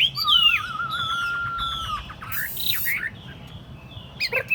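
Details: Tame caged Chinese hwamei set on a table. A long wavering whistle runs steadily for over a second. Quick high slurred notes and a brief noisy burst follow, then sparse chirps.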